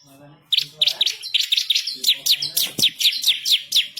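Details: Energetic bar-winged prinia song used for tutoring other birds, fierce and rolling with sharp bursts: after a quiet start, a continuous run of high downslurred chirps at about four per second, with one loud click midway.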